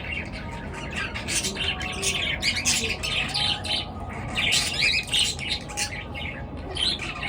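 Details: Morning bird chatter: many high chirps and harsh squawks overlapping in quick, irregular bursts, about three a second, with a constant low hum underneath.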